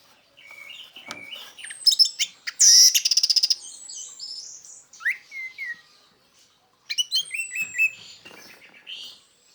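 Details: Orange-headed thrush song used as a lure for other orange-headed thrushes: varied whistled phrases with rapid buzzy trills, high thin slurred notes and quick chattering bursts, separated by short pauses.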